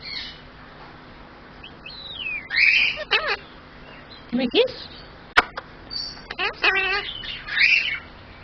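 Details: A superb parrot named Ocka imitates human speech in short, raspy, chattering phrases such as "hello", "what are you doing", "give me a kiss", "oh thank you" and "who's a pretty boy", mixed with squeaky whistles and a harsh squawk, about six quick bursts.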